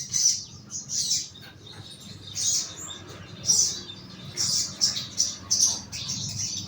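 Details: Caged young sogon bulbul in a lower cage for therapy, calling with bright, high, clipped chirps in quick clusters separated by short pauses, over a faint low hum.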